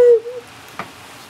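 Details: A Mourning Dove, answering a person's call after flying from the feeders to a branch near the window, gives one short, low, hollow coo that holds steady, then trails off softly; a faint click follows in an otherwise quiet room.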